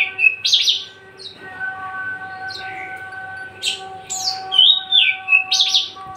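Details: Javan bush lark, a tame caged male kept as a vigorous singer, gives sharp high chirps and short slurred phrases spaced irregularly through several seconds against steady low humming tones in the room.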